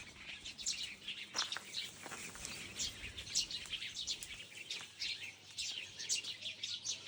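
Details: A busy mix of high, thin bird chirps and quick twitters, some notes sliding downward, arriving in uneven clusters against a quiet low hum.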